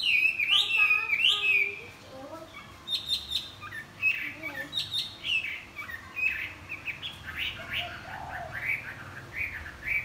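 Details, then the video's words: Chinese hwamei in morning song, flapping its wings: rich, varied whistled phrases with rising slurs, rapid chatter and repeated notes, continuing strongly throughout. "Hoạ mi đập cánh chào buổi sáng"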